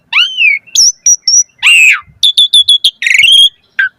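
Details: Asian pied starling song in the pumping-variation style, a lure and tutor recording to make caged starlings sing. Clear whistled slurs, a long falling buzzy phrase, then rapid sharp chips and a rising buzzy trill, with short pauses between.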